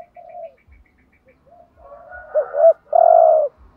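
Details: Decoy 'thúc gù' cooing of a spotted dove meant to stir other doves: quiet wavering coos build into a looped double coo and end with a long, strong, buzzy held coo.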